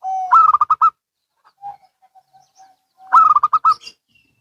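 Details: Local and Bangkok zebra doves answering each other: a short steady tone, then a rapid burst of throaty, bubbling coo notes, a quiet pause with faint soft notes, and a second fast rolling coo series.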